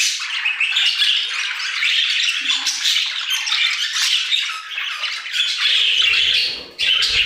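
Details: Flock of budgerigars singing in an aviary: dense, buzzy twittering and squeaky notes flowing continuously, with a short dip near the end.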